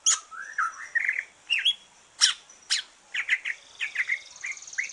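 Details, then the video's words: Green leafbird after its moult, singing relaxed as a stimulus for other birds: rising whistled slurs, then crisp clicks and chirps about twice a second with short high warbles between. "Kicau santai cucak ijo,,rangsangan cucak ijo selesai nyulam"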